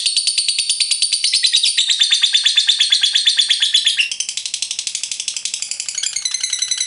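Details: Lovebird performing 'ngekek panjang', the prized long chatter, used to coax lovebirds into singing: a fast, unbroken series of high scratchy notes that drops slightly in volume and changes texture near the end.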